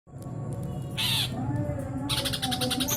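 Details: Greater green leafbird (cucak ijo) in nyrecet chattering style: a brief harsh burst early on, then a rapid, buzzy, evenly pulsed chatter running to the end over a steady low hum.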